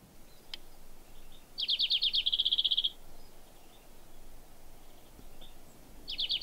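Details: In a garden during stormy, rainy weather, a European Greenfinch sings from the bushes: a fast, ringing trill of bright, high notes lasting over a second, then starts another, over a steady rush of wind and rain.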